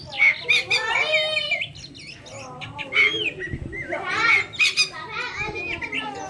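A fast, varied stream of loud whistles, chattering phrases and harsh squawky notes, rising and falling in bursts, with what may be several birds singing together.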